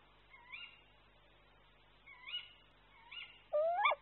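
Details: Female tawny owl answering her courting mate near their old tree nest with kew-wick calls. Three faint upslurred notes come a second or two apart, then one loud, sharp, rising call closes the clip.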